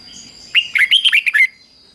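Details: Red-whiskered bulbul performing its fig-jig-fok 'double' phrase, meant as a model for young birds. About seven clear whistled notes, bouncing up and down in pitch, sung in one rapid second-long phrase.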